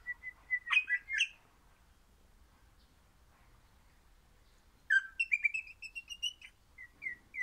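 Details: Crimson rosella pet, described as orange, sings two bursts of bright piping whistles mixed with sharp chattering notes, separated by about four seconds of silence; the second phrase runs as rapid, repeated fluty notes.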